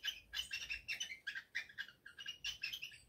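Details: Captive male cockatiel courting a female for mating after the pair finished preparing the nest: rapid, rhythmic chirping warble, harsh and tonal notes alternating about four times each second, with a faint low hum underneath.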